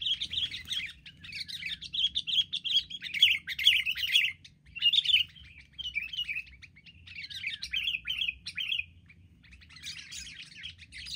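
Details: A group of wild sooty-headed bulbuls in an aggressive gang attack, with long spells of loud, fast bubbling chatter broken by short pauses, several birds seeming to call at once.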